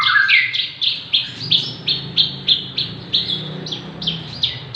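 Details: Javan bush lark aged six months, singing freely and good as a model or prompt for other birds. Opens with a low rising slur, then a regular run of sharp high chirps, about three per second.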